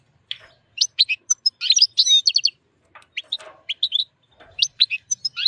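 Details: Wild European goldfinch in mating excitement with a white female canary sings strongly: rapid high twittering phrases with ringing trilled notes, broken by short pauses and quiet rustling.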